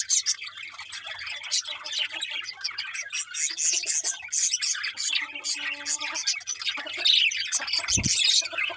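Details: Many birds chattering in the morning, constant high, scratchy chirps and tweets, with a short steady tone partway through and a low thump near the end.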